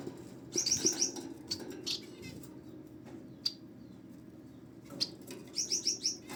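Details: Society finch chicks give quick series of about four sharp, high chirps, heard twice, separated by rustling and scattered single ticks.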